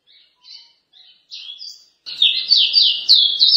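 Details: Pará-style ruddy-breasted seedeater begins with soft, scattered high chirps and short whistles, then bursts into a loud, rapid series of sweeping whistled notes rolling one into the next.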